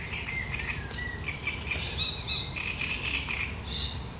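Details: Great reed warbler, 1 July 2020, delivering its sharp, chattering song: quick strings of repeated grating notes and squeaky accents, tightly packed, over a faint low rumble.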